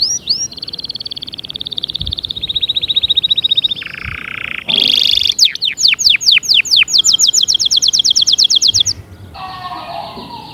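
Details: Canary song offered to get other canaries singing: a long high trill, a harsh buzz, then bright rapid tours of sharp falling notes repeated many times each second.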